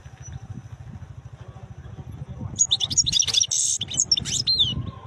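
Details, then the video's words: European goldfinch, said to be wild, bursting into a fast jumble of bright twitters, trills and buzzy notes in the second half, over a steady low engine-like rumble. "تغريد حسون خلاوي نوطات جميلة"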